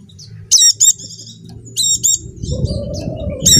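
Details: Dakun white-eye from Java singing as a lure for stalled caged birds: two short clusters of piercing high chirps and thin twittering, then a low rumbling noise and a final high burst.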